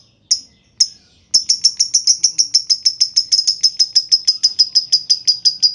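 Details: Lovebird lure song meant to set other lovebirds singing: two isolated clicking chips, then a fast, steady, high-pitched chattering trill of evenly repeated notes, the long ngekek.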